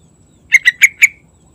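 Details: A single loud song phrase from a sooty-headed bulbul in the morning: four evenly spaced, rich, bubbling notes in about half a second, the final note sliding into a brief tail. The surroundings are still.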